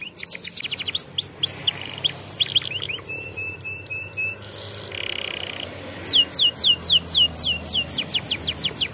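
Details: Canary singing as training for young canaries, a varied song of rapid descending whistled sweeps, fast rattling trills and brief steady tones, delivered in quick phrases that shift abruptly from one motif to the next.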